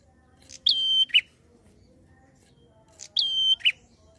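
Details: Chatty prinia in fast 'ngalun' style, meant to rouse untrained prinias: two phrases about two and a half seconds apart, each a bright attack, a held flat whistle and a dropping lower note. Quiet hum underneath.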